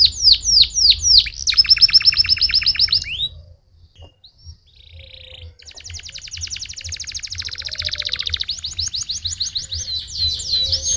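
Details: Canary song intended to stimulate other canaries to sing, opening with sharp falling whistles and a fast trill, a brief near-silent pause with a soft buzz, then a long shimmering high trill that speeds up.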